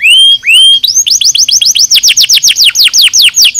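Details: Canary singing a nozes-style song for bird training: two long clear whistles, then a rapid, even roll of high sweeping notes repeated about five times a second.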